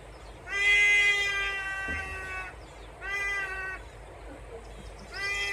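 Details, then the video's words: Cat-like signature wails of a trumpeter hornbill, Mjejane Private Game Reserve in Kruger National Park, South Africa, December 2022: three nasal, harmonic-rich cries, the first longest at about one and a half seconds, the others shorter, spaced roughly two seconds apart. "Trumpeter Hornbill call"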